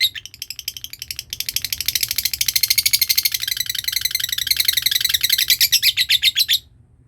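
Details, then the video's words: Lovebird long trill (ngekek) serving as a lure sound: a softer start, then a loud, rapid, high rattling chatter that carries on for about five seconds before stopping abruptly. "Belajar ngekek panjang,suara pancingan love bird ngekek"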